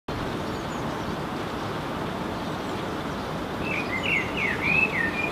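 A blackbird gives a brief, fluty warbled phrase near the end, rising and falling. Steady hiss of rain runs throughout.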